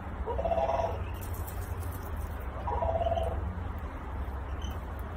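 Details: Orphaned young sandhill crane chick being cared for at a wildlife rescue while eating: two clear, steady, mid-pitched peeping calls about two seconds apart, each roughly half a second long, over a low background hum.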